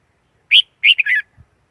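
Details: Red-whiskered bulbul singing one brief, bright phrase: a sharp upslurred note, then a rolling, warbled run of three linked whistles that drop at the end, with a faint soft thump after.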